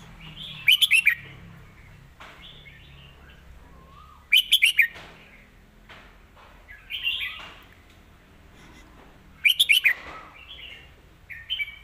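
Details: Red-whiskered bulbul kept in a cage, delivering master-style song with clear, well-placed phrases. Rapid clusters of ringing whistled notes recur about every three to four seconds, with softer warbled notes between them.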